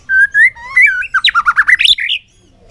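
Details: White-rumped shama in contest song in the afternoon sun: clear rising whistles, then a fast run of rich, looping warbled notes, ending abruptly into silence.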